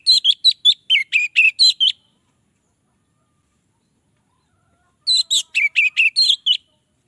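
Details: Orange-headed thrush song that draws other orange-headed thrushes in: two phrases of about eight rapid, sharp whistled notes each, some slurring downward, separated by a three-second pause; nothing else audible.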